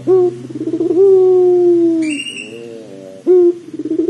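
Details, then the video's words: Pelung dove lure sound: a short coo, then a long smooth low note that slowly falls, softer murmuring notes, and a fresh coo at the end over a low steady hum. "PANCINGAN PUTER PELUNG AGAR CEPAT BUNYI"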